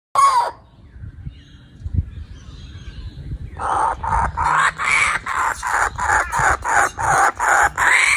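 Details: Many penguins calling together: harsh, braying honks repeated in a steady pulsing series about every half second, after a short loud opening call and a quieter gap with faint chatter.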